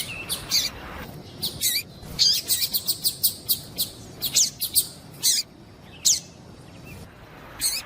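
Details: Female double-collared seedeater piping to prompt a male to sing: high chirps, first spaced, then a quick run of about ten, then slower isolated notes toward the end.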